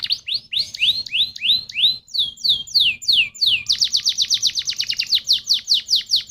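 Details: Canary lure song for stimulating other canaries: repeated rising whistled notes that shift into descending slurs, then a steady, rapid series of sharp repeated chirps.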